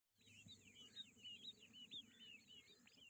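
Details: Grey francolin (Ortygornis pondicerianus) chicks peep in a busy, overlapping chorus of thin, high cheeps, about two a second, over a steady high hiss and low background rumble.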